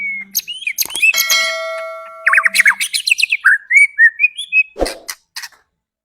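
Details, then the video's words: White-rumped shama singing as a lure to make other birds agitated and sing: a whistle, steady ringing tones, then a quick run of rhythmic chirps and short whistled slurs ending in a sharp click. "Pancingan Murai Agar Cepat emosi dan bunyi"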